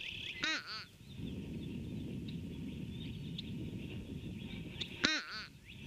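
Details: Fish crow heard in the background on 26 February 2019 around 9 a.m.: nasal, buzzy paired caws like uh-uh, one pair early and another about four seconds later, with faint twittering birds and low background noise between.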